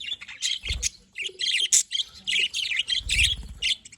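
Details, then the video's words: Pet budgies giving scratchy squawks and chattering chirps in uneven bursts, with soft low thumps from movement twice in the background. "happy budgies parakeet budgies"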